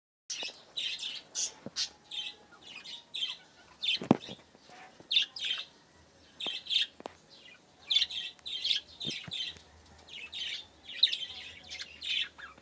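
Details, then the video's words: Pet budgerigars in breeding season chatter steadily. Short buzzy, warbled chirp bursts come about every half second to second, with a few sharp clicks and a faint low hum. "my budgies breeding season"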